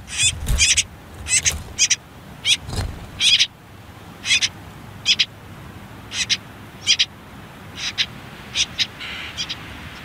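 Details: Brief raspy squeaks from common whitethroat nestlings on their last nest day near a river, hidden by reeds and nettles; dense doubled bursts early, thinning to single spaced calls later, with a couple of low thumps.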